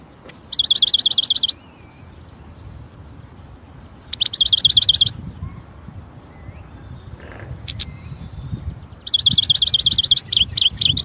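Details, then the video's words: European goldfinch in nature with three long, fast, buzzy trills of evenly repeated high notes, each lasting about a second, separated by quieter gaps. "جمال الحسون في الطبيعة"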